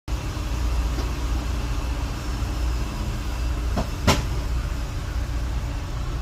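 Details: Loud continuous traffic-like rumble with a single sharp click near the end, and no crowing or other animal sound.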